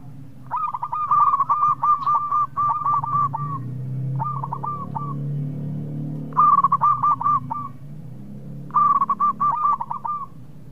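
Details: Lively local perkutut, the zebra dove, calling as a lure to provoke quick replies from rivals: three bursts of rapid, stuttering hooked coos, each burst about a second long, separated by pauses, with low rumbling background noise.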